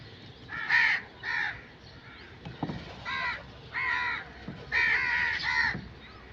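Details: Crow uttering loud, raspy caws at roughly one-second intervals, with a few clicks and knocks between the calls.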